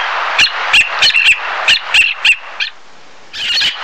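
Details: Black-naped tern calling in a brisk series of short, sharp, raspy notes for two and a half seconds, then a brief silence before another rough burst.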